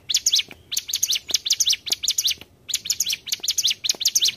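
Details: Mountain tailorbird, song used to lure birds for trapping: rapid shrill chirp clusters with a short pause near the middle, then resuming at the same brisk pace, faint clicks underneath.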